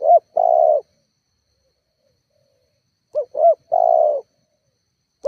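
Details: Rival-provoking spotted dove call: a quick double hoop and a long level coo, a three-second silence, then the same phrase again, clean and close.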